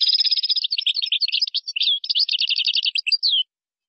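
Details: European goldfinch delivering one unbroken Moroccan-style phrase of gazarat and srrr bertbertio type: three and a half seconds of rapid, tinkling twitters mixed with buzzy trills and short whistles, then silence.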